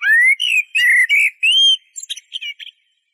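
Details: Eurasian blackbird song that opens with a rising mellow whistle, continues through several rich fluted notes, and ends in soft, high, chirpy twittering.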